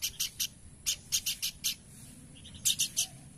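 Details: Horsfield's babbler singing actively: quick series of three to five harsh, broadband chipping notes, each burst short and evenly spaced, with brief pauses between series and a quiet background.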